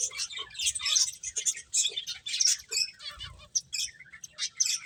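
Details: Finches chirp as they eat: quick, thin, high tweets and short whistled accents scattered in irregular clusters, with quiet low rustling below.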